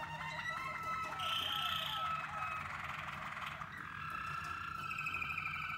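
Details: Waterslager canaries in song training, birds combined in groups to develop melody, tone, depth and tempo; overlapping sustained whistled notes with rapid rolling, water-like trills, stepping higher midway and again near the end, over a steady low hum.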